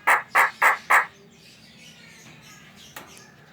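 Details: Javan myna calling to provoke other mynas into song: four harsh, buzzy notes in quick even succession, followed by faint background noise and a single distant click.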